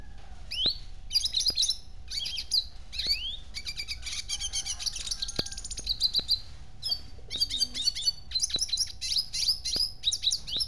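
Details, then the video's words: A red siskin sings a rapid, twittering run of high chirps, trills and buzzy notes in bursts, with a steady faint hum and occasional clicks behind. "Red Siskin"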